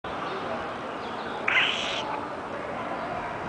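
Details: Parrot giving one short, harsh, raspy squawk lasting about half a second midway through, standing out over a steady background hum and room noise.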